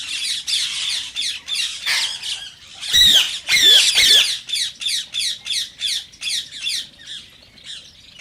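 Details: Indian rose-ringed parakeet chattering in a long, irregular series of shrill, scratchy notes with a burst of louder harsh squawks midway; its voice is said to prompt mating in parakeets that hear it.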